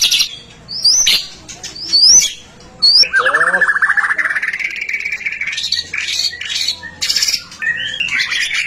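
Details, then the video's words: White-rumped shama song, played to stimulate other shamas to sing: a few sharp rising whistles, then a long fast rattling trill and varied chattering phrases. "Suara murai batu gacor AMPUH buat PANCINGAN murai batu agar BUNYI"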